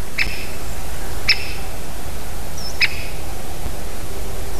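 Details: Great spotted woodpecker visiting a spruce near its nest tree, 25 September 2023, 16:45, gives three sharp, high 'kik' notes at uneven intervals over a steady low rumble of background noise.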